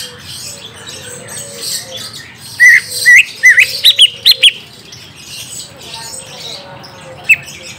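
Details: Orange-spotted bulbul song meant to lure a young bird: a cluster of rising, slurred whistles followed by rapid high chips, then quiet with one late note, over soft hiss.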